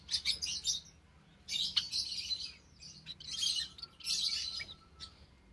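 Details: Java sparrows, including white birds, in an indoor aviary shared by ten of them with white-headed, scaly-breasted and tricolored munias, on March 21, 2021; clusters of high, sharp chirps and twittering, separated by short quiet gaps.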